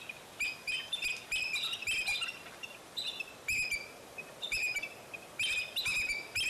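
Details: High, piping chatter of a Bald eagle at Fraser Point, 04-10-2019, recorded when eaglets fell from the nest and later returned; sharp whistled notes come in clustered bursts roughly every second, over a faint steady background hiss.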